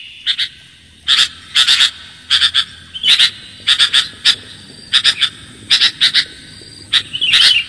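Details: Lure recording of a sooty-headed bulbul: short high chirps come in quick pairs and triplets, with brief silent gaps between groups and a faint steady hum beneath.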